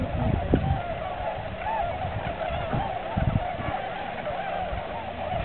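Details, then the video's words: Tundra swans on a migration stopover at Aylmer Wildlife Management Area, March 15, 2009, a large flock giving a dense, continuous chorus of mellow honking calls, with low thumping wind-like bursts underneath. "Tundra Swans"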